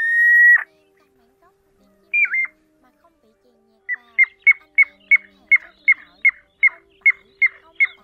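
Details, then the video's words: Pacific golden plover calls used to lure migrating birds into nets at night, August 2024 season: a long, level whistle dropping at its end, a short bent note, then crisp clipped whistles repeated about three per second. "Tiếng Choi Choi Chân Vàng Bẫy Lưới Đêm Chim Di Cư"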